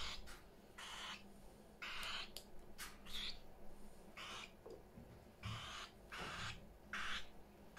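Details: In a house full of parrots, rough broadband screeches come in repeated bursts of about half a second, with brief gaps and a few higher squeaky notes.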